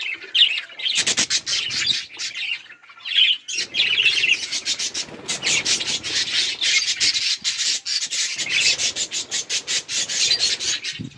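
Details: Budgies playing and feeding, a flock chatter of warbled chirps broken by rapid sharp clicking or tapping strokes repeating many times a second from about six seconds on.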